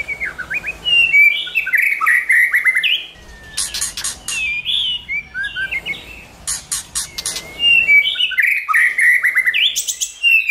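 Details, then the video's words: White-rumped shama singing in many voices, used to provoke and train shamas to sing: loud, varied whistled phrases sliding up and down, broken by two bursts of harsh, rattling clicks, with short pauses between phrases. "Kích Chòe lửa hót nhiều giọng, Căng lửa,chòe lửa đánh đuôi kích cực nhạy.luyện chòe lửa hót"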